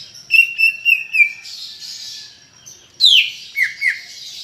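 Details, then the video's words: Greater green leafbird in energetic song meant to stir other leafbirds into singing: a quick series of short wavering whistles, a pause filled with soft high chatter, then a sharp downward whistle and two lower slurred notes. "Ocehan Cucak Ijo Gacor untuk Pancingan Bunyi"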